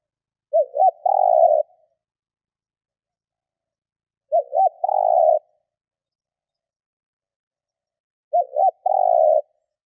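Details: Decoy spotted dove cooing to lure wild doves: three separate phrases in near silence, each a quick wavering double coo followed by a longer steady mellow note, spaced about four seconds apart.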